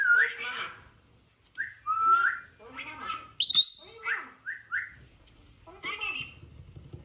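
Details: Rainbow lorikeet kept at home chatters while playing, mixing short rising whistles, gargled speech-like phrases and one piercing high squeal, with gaps of near silence between bursts.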